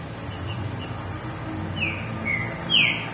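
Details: Captive Green-winged saltator, warmed up by being placed near another male for 10 minutes to provoke rivalry, gives three short whistled notes, the last louder and slurred, over steady hiss.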